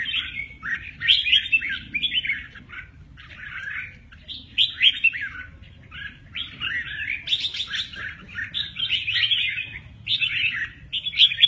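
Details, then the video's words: Red-whiskered bulbul, said to play its wings very well, delivering bursts of bright, chattering warbled phrases separated by short pauses, with a faint low rumble behind. "Chào mào mơ ché nẹt, chơi cánh rất hay"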